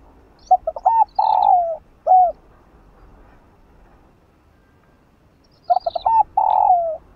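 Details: Spotted dove (Spilopelia chinensis), cooing used to stimulate other doves to coo: two phrases about five seconds apart, each a few short hooting notes running into a drawn-out purring coo with a soft closing note.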